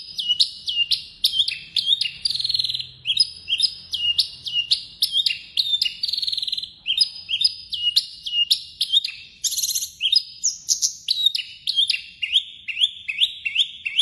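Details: Javan bush lark of the blorok variety, singing eagerly with full fill-in song: rapid, steady series of sharp high chirping notes, many falling or rising, repeated several times per second throughout, with faint low background hum.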